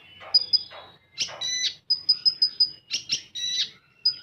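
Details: Sharp high piping notes repeated rapidly, alternating with broad scratchy bursts; full tembakan song style of a common iora.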